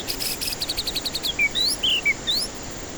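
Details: White-rumped shama song used as a lure for stressed birds that will not sing: rapid rattling series of high notes, then clear whistled slurs rising and falling between mid and high pitch, over a steady hiss.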